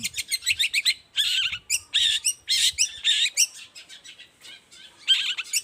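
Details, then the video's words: Long-tailed shrike singing in the morning to provoke other shrikes into answering: harsh, buzzy scolding phrases alternate with rapid chattering notes, loud and fairly continuous. "toet toet Suara cendet gacor Pagi Hari pancingan jitu BIKIN cendet diam langsung nyaut ikutan bunyi"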